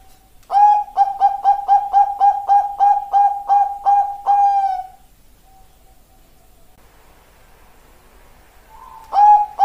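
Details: Zebra dove, Bangkok perkutut line, delivering a fast burst of about a dozen bright, evenly paced coo notes, the last one drawn out. Near silence follows, then a soft rising tone and a fresh loud note at the end.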